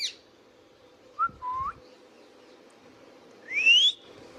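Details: Indian ringneck parakeet giving a sharp high note, then short whistled notes near the middle and a loud upward-sweeping whistle toward the end, over a steady low hum.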